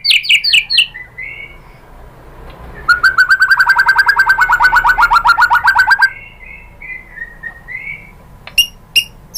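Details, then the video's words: White-rumped shama song used to prompt other shamas to reply: opening high whistles, then a fast steady run of about thirty repeated rich notes for three seconds, followed by sliding whistles and sharp chips. "SUARA MURAI BATU bikin BUNYI jadi NYAUT GACOR"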